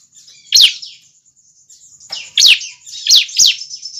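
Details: Juvenile bar-winged prinia call, used as a lure to draw other prinias close. Four sharp, high, downslurred chirps in two spaced groups, with a thin steady high whine running underneath.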